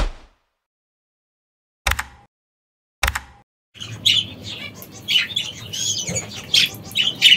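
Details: Caged parrots in an Italian aviary: after a few quiet seconds broken by two sharp clicks, a lively stream of high chirps and squawks starts and keeps going.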